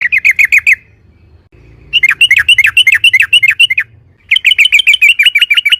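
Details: Yellow-vented bulbul singing loud ropel-style song, used as a lure to make other bulbuls answer; three bursts of rapid, repeated chirpy notes, several per second, separated by short pauses.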